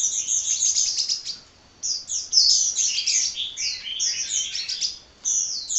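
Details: Hummingbird chattering energetically in very high, tinkling twitters, with a long run, a brief pause, then another long burst of tumbling notes.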